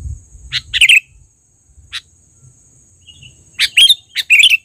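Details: Loud lure calling from a trained kutilang, the sooty-headed bulbul: a chirp leading into a bubbly phrase, a lone sharp note, a brief soft whistle, then two rapid bubbling flourishes, over a thin steady high tone.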